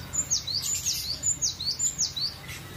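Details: Cinereous tit song, loose and easy: crisp descending whistled notes paired into quick phrases, about five in under three seconds, very high and clean over a soft background hum.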